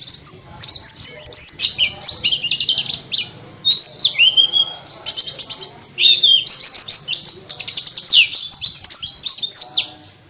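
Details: Oriental white-eye song used as a lure to get reluctant lovebirds to sing: loud, fast, high twittering warble of rapid chirps, slurred whistles and trills, nearly continuous for ten seconds.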